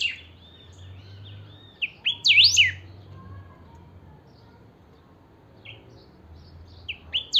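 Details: Saffron finch, known locally as chiviro, a kept singing bird: quiet warbled notes, then a loud burst of steep up-and-down whistled sweeps, a long pause, and further short rising chirps near the end.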